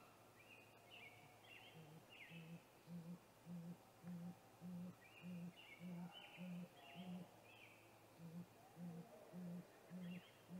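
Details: Male great gray owl calling before a nest visit at a snag tree nest, 8:45 pm, 21 April 2019; low, even hoots pulse about every 0.6 seconds through steady background noise, while small birds whistle higher up.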